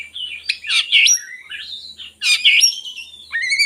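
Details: Oriental magpie-robin song to tempt reluctant birds to sing: loud, sweet whistled phrases with buzzy slurred notes, two strong bursts separated by a short gap, ending in a rising whistle.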